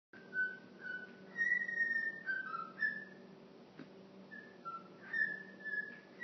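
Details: A pet cockatiel whistles La Marseillaise in clear, pure notes, gliding between pitches in short phrases, with a steady low hum behind; recorded on a phone.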